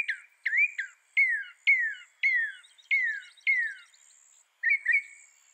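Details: Mockingbird singing a series of clear, loud whistled phrases, each a bright note sliding downward, repeated about every half second, ending with a couple of different chirpy notes; quiet background.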